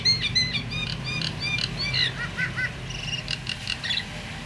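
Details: Calling myna, played to set other mynas calling: quick paired whistled notes repeated several times, then a few lower downslurred notes and a thin steady high tone, over low background hum.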